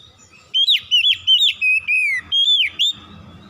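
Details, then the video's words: Oriental magpie-robin in strong song, stringing together sharp whistled slurs that dip and climb, then a long falling whistle and a few more quick upslurred notes. The background is quiet apart from a faint low hum. "KICAUAN KACER POWER KERAS"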